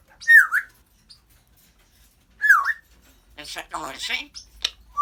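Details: Indoor African grey parrot repeats a short dipping whistle twice, about two seconds apart, then breaks into rapid raspy speech-like babble.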